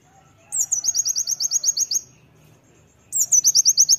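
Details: Oriental white-eye singing loudly, a master song for training: two bursts of high, rapid, evenly repeated sharp chirping notes, about ten notes then a pause and another run, clean background.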